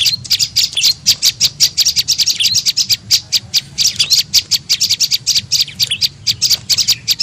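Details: Tailorbird (prenjak lumut) call used as a lure for other birds: steady, very fast high-pitched chirping, short ticking notes in an unbroken stream over faint low hum.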